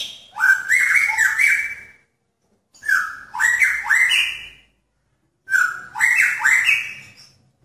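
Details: A male magpie-robin courting a female in a pairing cage gives three rich, whistled phrases of stepped, rising notes with a harsh edge, each lasting under two seconds and coming roughly every three seconds.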